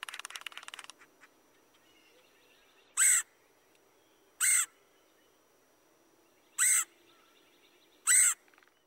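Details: Red-headed Woodpecker giving its raspy queer call from a played-back recording: four harsh, buzzy bursts spaced one and a half to two seconds apart, after a brief murmur of other sound at the start.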